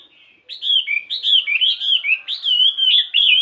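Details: Chinese hwamei, a 72-gram fighting bird, practising its morning song: a continuous fluent stream of clear, looping whistled notes rising and falling in quick succession.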